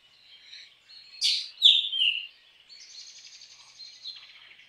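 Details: Black drongo song in which soft, high warbling leads into a loud burst of sharp, descending whistled notes, followed by a long, rapid, buzzy trill that holds steady.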